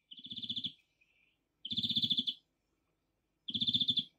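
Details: European greenfinch (Chloris chloris) at a spring feeder in Kandalaksha, giving short fast trills of rapid twittering notes, each under a second, repeated about every two seconds, with a low buzzing pulse alongside each trill.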